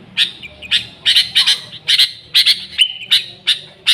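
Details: Sooty-headed bulbul in full, noisy voice, offered as a lure for bulbuls. Sharp, bright chip notes come in short bursts about every half second, with one brief high whistle near the end.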